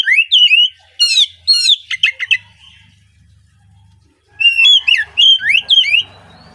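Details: Oriental magpie-robin song, played to prompt young untrained speckled birds into singing early in the morning: loud whistled, sliding phrases with sharp chirps in two bursts separated by a quiet gap of almost two seconds.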